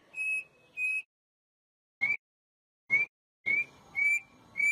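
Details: Brazilian Campo troupial singing the whistled style: short pure level whistles and brief upslurred notes, broken by gaps and sharp clicking noise bursts.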